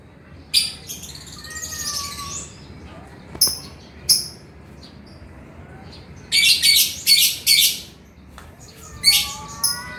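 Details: Male lovebird singing energetically as a training model for other lovebirds: bursts of harsh, high-pitched chattering notes mixed with thin rising whistles, in uneven clusters with short quiet gaps.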